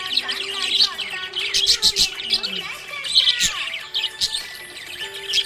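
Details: Happy budgerigar chirping: dense, busy high warbling and twittering chatter in quick bursts, with faint background music underneath.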